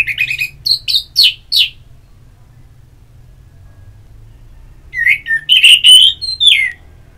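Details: Orange-headed thrush song used as ngeplong therapy audio to stimulate a kept bird to sing: a burst of short, loud whistled and chirped notes over about two seconds, a long quiet gap, then a second, richer run of slurred whistles.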